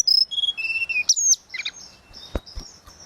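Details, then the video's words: Short burst of flowerpecker singing, a tledekan laut: thin high whistles on steady pitches stepping lower, a sharp chip, then only faint scattered notes and clicks. "Burung tledekan laut suling gacor"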